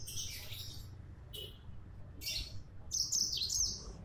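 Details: Brisk, energetic gacor song of a Yellow-fronted canary: quick clusters of high, sharp chirps and trills separated by short pauses, ending in a longer rippling phrase, with faint low background noise.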